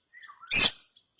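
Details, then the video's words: Young lovebird chick after therapy giving one harsh, buzzy chirp with a few faint thin notes before it. "ANAKAN LOVEBIRD NGERIWIK SETELAH DITERAPI"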